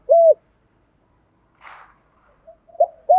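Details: Spotted dove cooing as a trapping decoy in the thổ style: one clear coo, a soft rustle and faint murmurs, then a clipped note and another coo starting at the end.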